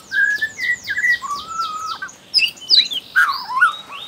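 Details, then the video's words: Young wild white-rumped shama from Borneo, used to prompt other shamas to sing: a varied song opening with a rapid run of descending notes over short whistled phrases, then sweeping slurred whistles and loud rising and falling notes. "MURAI BATU BORNEO Trotol Muda Hutan Ampuh Buat Pancingan Murai Batu"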